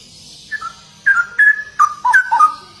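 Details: A straw-headed bulbul's gacor song: after a soft opening note, a quick string of loud, clear, fluty whistles with downward slurs follows in rapid succession.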